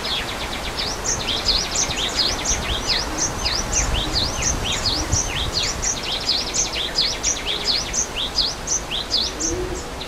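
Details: Java sparrows in the wild give a dense, steady chatter of short, high, chipping notes, several birds overlapping, over the constant rush of a waterfall.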